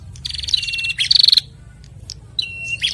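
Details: Male and female bar-winged prinia pair singing back and forth, kept in cages; fast buzzy trills near the top of the range alternate with steady whistled notes, three bursts in quick succession with short pauses between.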